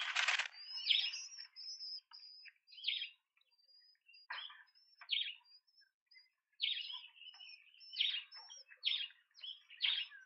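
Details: Large speckled pigeon chicks at a nest in Pretoria, South Africa, 28 September 2024, begging during feeding: thin, high, squeaky wheezes in short bursts about every second or two, with faint rustling between calls.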